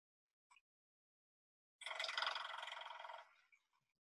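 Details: Male Pileated Woodpecker (Dryocopus pileatus) drumming on a metal roof to attract a female, not feeding: a single sharp tap, then a ringing, metallic roll of rapid blows about a second and a half long, fading out.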